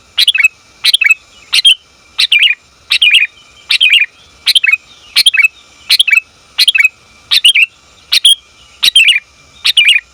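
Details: Female sooty-headed bulbul calling to the male, recorded for training and luring bulbuls: sharp, chattering bursts of two or three quick notes, repeated steadily about every second. A faint constant high tone sits beneath.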